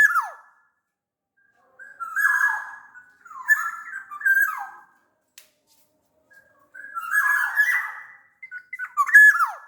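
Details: Black-naped oriole from Sumbawa, bigger than Bali or Java birds, giving harsh nasal squawking phrases interspersed with fluty whistles and a final plunging whistled slur.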